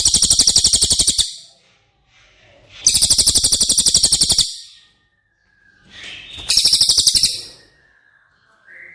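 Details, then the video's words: Training song of cililin for caged White-rumped Shama: three separate bursts of a sharp, high, rapidly repeated trill, with quiet pauses between them holding soft thin whistles and chirps. "Masteran CILILIN Materi Wajib untuk Burung Murai Batu anda!!"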